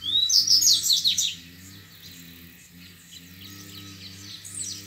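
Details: Wild double-collared seedeater singing the grego song style in a duel with rivals: a burst of fast, high, sweeping whistled and twittered notes over about a second, then faint distant phrases, with a steady low droning hum throughout.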